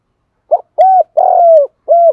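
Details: A spotted dove kept as a decoy gives its lure call for wild doves: a close, loud phrase of short note, coo, long rough-edged coo and a final smooth coo.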